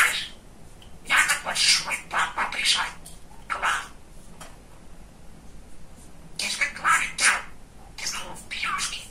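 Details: A pet male budgerigar, described as very chatty and funny, talks in rapid bursts of high, scratchy, speech-like chatter, in clusters of syllables separated by short pauses, indoors.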